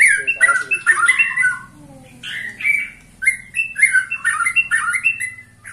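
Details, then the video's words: Twenty-one-year-old white-rumped shama singing energetically: clear repeated whistled notes and short chattering phrases in quick clusters, with a soft low hum underneath. "Murai batu ini ternyata usianya 21 TAHUN Gaya main masih NGOTOT"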